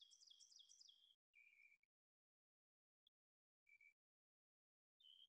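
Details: Ovenbird song, a quick run of high, ringing two-note 'teacher teacher' phrases that grow louder as they go, followed by a few short, lower chirped bursts separated by silence.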